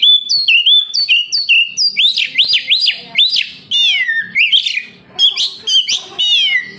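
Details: Magpie-robin song meant to stir captive birds into singing: a string of short whistles, then repeated upward-swooping slurs and long falling whistles, delivered quickly and clearly.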